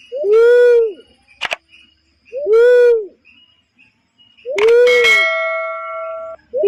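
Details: Barred cuckoo-dove lure call for trapping: loud two-part hollow coos about every two seconds, with a sharp click between calls and a steady mid-pitched droning tone after the third call.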